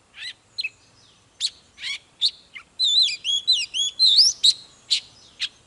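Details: Oriental magpie-robin singing in intense, fired-up 'hót múa' style, singing while displaying: sharp high chips and short buzzy bursts, then a fast run of looping whistled phrases that rise and fall, followed by more scattered sharp notes.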